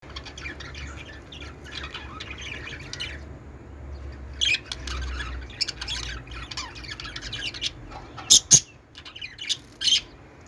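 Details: Pet budgerigars playing on a peach during mating behaviour, giving a dense, high warbling chatter of squeaky chirps for three seconds, then scattered bursts of sharp chirps over a low background hum.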